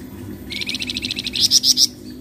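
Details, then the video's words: Untrained Flamboyan song, played to lure other birds into singing: a rapid series of buzzy rattling notes rising into four loud, shrill, very high chips, with low hum underneath. "PANCINGAN BUNYI FLAMBOYAN BAHAN"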